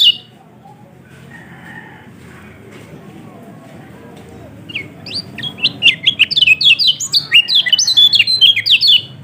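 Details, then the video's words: Yellow-throated white-eye lure song from Lombok, intended to start a lazy bird singing: a faint first half with low background, then from about five seconds a fast burst of high, sharply slurred whistled notes. "Pancingan Kecial Kuning Males Bunyi Agar Cepat Buka Paruh"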